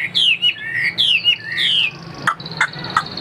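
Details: Chinese hwamei in a cage, offered for sale, gives three loud descending slurred whistles in under two seconds, followed by a few sharp dry clicks and a thin high note.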